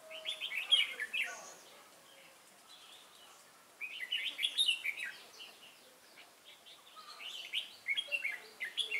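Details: Wild-caught red-whiskered bulbul with a lân-type crest, recorded 22 October 2018. Bright warbling phrases of quick, slurred whistled notes come in three bursts separated by short pauses. Faint background chirps are also heard.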